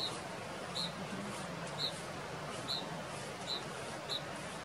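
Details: Canyon wren calling while dancing at Zion National Park on 1 November 2017: sharp, high single call notes, about one each second, over a steady hiss of background noise.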